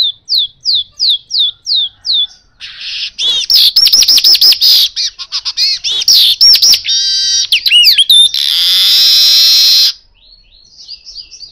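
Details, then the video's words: Asian golden weaver song for luring birds: a series of quick repeated rising chirps, then a loud jumble of whistles, rattles and wavering notes, a long harsh hiss, and soft chirps again at the close. "pancingan burung manyar kepala emas"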